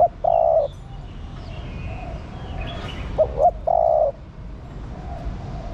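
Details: Female spotted dove calling to spur the male on. A long level coo ends one phrase, then two short hooted notes and another sustained coo follow, with soft twittering of other birds behind.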